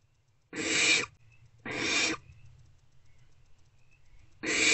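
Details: Barn owlets huddled together in a nest box during the early morning hours of 3/2/24. Three loud, rough, snore-like hisses arrive about a second apart, then after a pause, separated by quiet, with soft high squeaks between.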